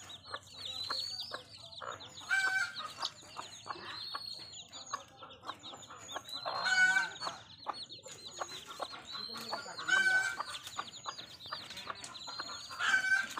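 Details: Native village hen raising her baby chicks: a dense chorus of thin, high chick peeps runs throughout, broken by several louder harsh bursts every few seconds, with occasional low clucks beneath.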